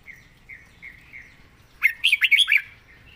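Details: Soft, evenly spaced chirps from a red-whiskered bulbul lead into a loud, lively phrase of five or six liquid whistled notes rising and falling. The bird is praised for ready singing and nice phrasing.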